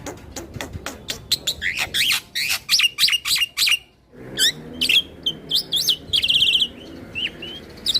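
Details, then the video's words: Caged white starling (Jalak Nusa) singing in full continuous rolling style while bobbing its head, meant to provoke other starlings; a rapid string of sharp clicks gives way to whistled, rising and falling notes and buzzy trills. "Kicauan Jalak Nusa / Jalak Putih Full Ngeroll Manggut - MAnggut Bikin Jalak lain Emosi"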